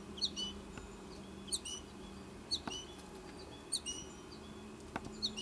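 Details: American goldfinch fledglings in the nest tree awaiting their feeding mother; clusters of high, bright chirps roughly every second, separated by brief pauses and light clicks.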